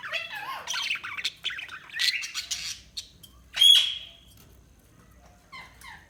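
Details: Budgerigars twittering in quick warbled phrases at first, then one loud, sharp squawk, followed by quieter scattered chirps.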